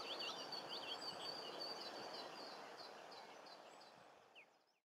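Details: Captive Superb starling filmed in 2014 at Paradise Park, Cornwall, gives quick, thin, high chirps and short whistles, about three a second, over a steady hiss of background noise.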